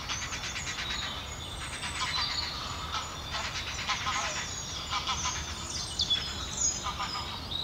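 Grey heron chicks beg with a rapid, dry ticking chatter, pulsing on and off and rising into harsh clattering bursts as they are fed.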